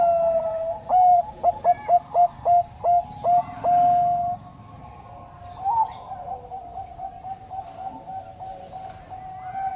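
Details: Zebra dove, Bangkok type, delivering a burst of six or seven crisp, hooked coo notes, then a sustained tone that fades, leaving softer, distant cooing and a faint rising whistle.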